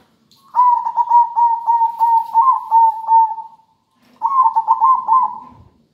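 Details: Local zebra dove singing actively, a melodious rhythmic song: a long phrase of rapid, rolling, slightly wavering coos near one pitch lasting about three seconds, then a short pause and a second, shorter rolling phrase.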